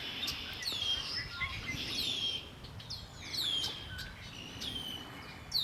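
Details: Lake Erie shore birdsong: repeated quick falling whistles and chirps from several birds, bursts every half second or so, with soft low ambient noise.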